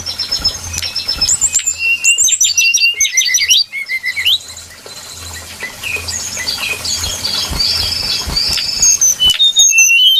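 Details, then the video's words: Trapping lure of the brown-chested jungle flycatcher: busy whistled song with quick chattering bursts and thin sustained high notes, over a faint low humming background. "Suara pikat burung sikatan SRDC Sikatan rimba dada coklat"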